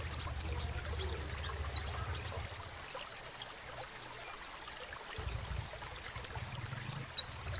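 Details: Crimson sunbird in lively full song: rapid, very high thin twittering notes, each a sharp downslurred flick, delivered in fast bursts of about two seconds separated by short pauses; faint low hum beneath.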